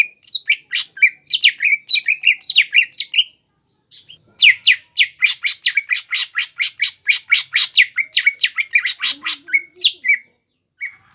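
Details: Greater green leafbird in Indonesia in full, persistent song meant to rile rival birds: loud rapid chattering bursts, a one-second pause, then a long fast string of about thirty buzzy, rasping notes ending in sharper whistles.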